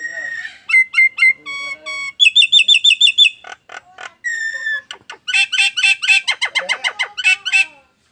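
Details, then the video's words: Nias hill myna making strange sounds likened to an anti-theft alarm; clear whistled notes held steady, then fast chattering and buzzy repeated phrases with short gaps. "JALAK NIAS BERSUARA ANEH TAPI NYATA!!! ALARAM ANTI MALING"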